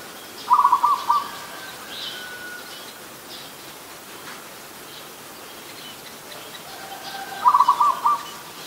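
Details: Two matching staccato coo phrases from an adult zebra dove, about seven seconds apart, recorded in Ubon Ratchathani, Thailand on 24 December 2020; quiet background with faint chirping of other birds.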